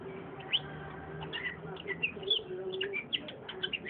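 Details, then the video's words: Long-tailed shrike singing: a quick run of short, sharp chirps and slurred whistled notes, some rising and some falling, with a faint low hum underneath. "burung cendet ngoceh"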